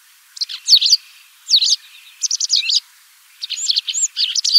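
White Wagtail giving high, lively twittering bursts of quick chirps and slurred notes, four phrases in under five seconds, with quiet pauses between.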